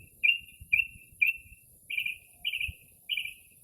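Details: Early-spring nocturnal Northern mockingbird singing mimicked calls outside a house: three sharp buzzy notes, then three rougher, lower burry notes, evenly spaced, with faint low rumbles.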